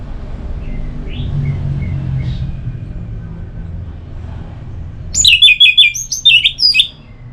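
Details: Orange-headed thrush in relaxed song for prompting quiet birds: faint distant notes at first, then a loud burst of rich, jumbled high whistles and chirps near the end.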